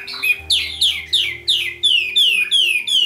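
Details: Red-whiskered bulbul in fighting song to challenge rivals: a run of about nine bright, sharply descending whistled slurs, roughly three per second, each sliding down quickly, with a faint low hum behind.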